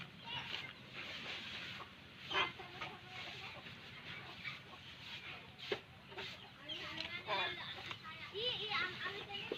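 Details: Young crows begging while being fed, giving short nasal, rasping cries with ladder-like overtones, scattered at first and then crowded together in the last three seconds, with constant low noise behind them.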